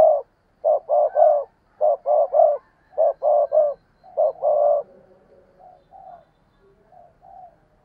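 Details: Decoy spotted dove giving steady cooing phrases to lure wild doves: groups of three throaty coos repeated roughly every six tenths of a second, then fading into softer, fainter coos toward the end.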